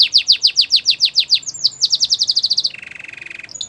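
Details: Belgian canary singing for training canaries: rapid repeated downward-sweeping whistled notes about every tenth of a second, then a faster trill of shorter notes and a steady buzzy rattle, ending with brief high notes.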